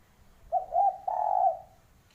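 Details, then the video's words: Spotted dove call, said to carry myths: a soft low cooing phrase, a short note followed by two longer, slightly wavering coos over faint background rumble. "Ciri Khas Suara Burung Derkuku Yang Membawa Mitos"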